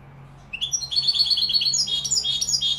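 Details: Goldfinch song in the Malaga style, recorded in Morocco: after a quiet start, a rising note leads into a fast liquid twitter, then a string of higher, ringing notes.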